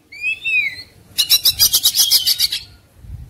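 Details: Fighting-mood Oriental magpie-robin with spread tail: two or three clear rising whistles, then a fast buzzy rattling trill of about a dozen pulses lasting over a second.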